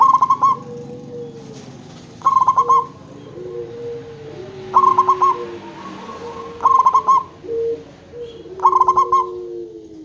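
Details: Lure zebra dove of a local type, meant to make other zebra doves call back, delivers five bubbly pulsed coos about every two seconds. Softer gliding tones sound in between.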